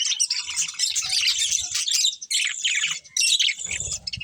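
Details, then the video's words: Several colourful budgerigars chirping while eating: dense, busy chatter of high warbling chirps and squeaks, with brief pauses near two and three seconds and faint low rustling underneath. "Colourful Budgies Chirping Sounds"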